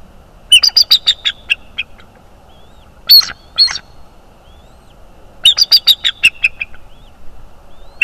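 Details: {'caption': 'Bald eagle at a nest in north-east Florida, watched by a nest camera on 25 January 2022 at 03:49. It gives high, thin chittering notes in quick runs of about eight, with two bursts separated by a short pause.'}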